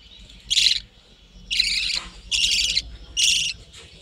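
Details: Budgerigars in a breeding colony kept in a hut: four harsh, scratchy chirps, each about a third of a second, given roughly once per second with quiet gaps between them.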